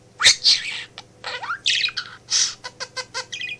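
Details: Pet male budgerigar in a home office, chattering at its working owner; a scratchy squawk, a rising slurred whistle, then a row of quick evenly spaced chirps, with low hum behind.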